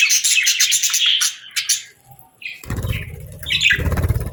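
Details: Parakeets chirping in summer: a burst of rapid scratchy chirps, a short pause, then a few clear whistled notes over low rumbling background noise.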